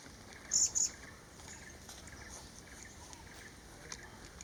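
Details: Breeding vernal hanging parrot recorded in Kaeng Krachan National Park, Thailand. Early on it gives a quick, high, thin two-syllable call likened to "si-sip", followed by soft background rustle.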